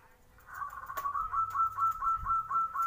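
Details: Morning lure song of a zebra dove, played to set other doves answering: quick stuttering coos in a tight even band, grouped in short repeated bursts, with a faint click and a low rumble underneath.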